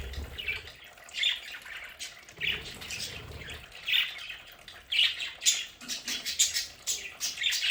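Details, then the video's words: Domestic budgerigars in an indoor play area, a busy mix of squawks and raspy chirps, sparse at first then crowding together in rapid overlapping bursts toward the end. "Sonidos de budgies para Budgies en casa"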